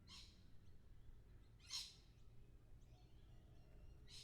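Three brief, harsh, rasping lorikeet screeches about two seconds apart, over a steady low rumble of background noise.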